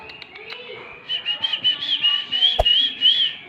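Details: Oriental magpie-robin, song used to trigger singing in silent birds; a fast string of high whistled notes repeated several times a second, steady and loud, with one sharp click near the end.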